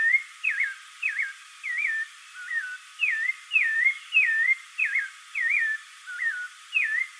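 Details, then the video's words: Spectacled thrush giving a steady stream of varied whistled phrases, around ten in seven seconds, each a quick loop dropping to a lower sustained tone. "SABIÁ CARAXUÉ SEU CANTO Spectacled Thrush"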